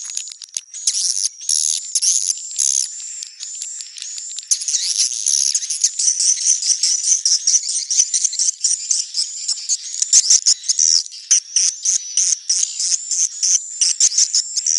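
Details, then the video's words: Long stretch of shrill swiftlet chatter in neutral sound, a jingling, rattling twitter that pulses in short bursts and grows choppier toward the end. "SUARA BURUNG WALETNETRAL soUND"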